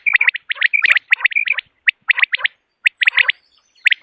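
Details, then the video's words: Morning call of common quail, used for hunting: bright whistled notes in tight groups of two to four, about one group per second, with gaps of silence between bursts. "Morning Quail Call 2025 صوت السمان واضح للصيد Batair Ki Awaz"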